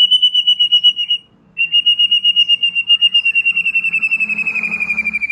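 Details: Relaxed shama chatter for coaxing juvenile and young wild birds to sing: a long high pulsed trill, a short gap, then a second trill that slowly drops in pitch, with faint low background hum.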